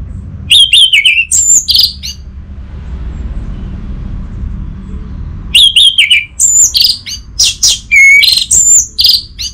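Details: Short bursts of high chirps and whistles from an orange-headed thrush. After a three-second pause, a longer varied phrase follows with clear downslurred whistles and rapid chatter.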